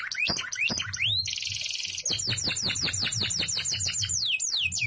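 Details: Canary singing 'gacor isian': rising swoops, a harsh buzzy rattle, then a rapid even series of short falling whistles ending in deeper swooping notes.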